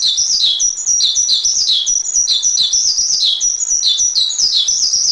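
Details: Javan pied starling on a master recording, singing in bright, stepped chirps that alternate between higher and lower notes in quick bursts. The song runs unbroken for several seconds.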